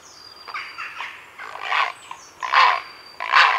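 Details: Grey herons calling close up at a heronry in the afternoon: harsh, raspy croaking bursts in irregular bouts, the loudest near the end, with thin high whistled notes from a blue tit and jackdaws in the background.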